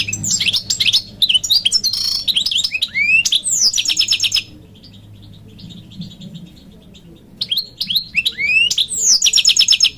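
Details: Khalawi goldfinch in full song: a rapid stream of high chirps, rising slurred whistles and buzzy trilled twitters. The song is broken by a short pause and then resumes with similar twittering, over a faint low background hum.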